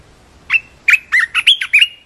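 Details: Red-whiskered bulbul singing a loud, lively phrase of short whistled and warbled notes, about six bright chirpy syllables rising and falling in quick succession, with a near-silent background.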